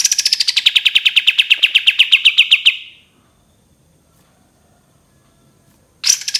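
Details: Long rapid trill of a cream-vented bulbul, the 'tembakan panjang' style: bright pulses falling then levelling off, fading out, then silence before a new burst starts at the end.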